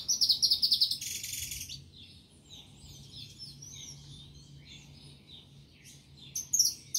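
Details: Singing saffron finch: a quick stuttering series of sharp high notes and a noisy burst, followed by soft scattered twitters, then a loud chirp returning near the end.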